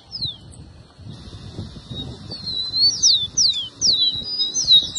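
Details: Rufous-collared sparrow (tico-tico) song used to stir up captive birds: clear, sharply falling slurred whistles repeated over a steady high buzzy trill, with a faint low rumble beneath.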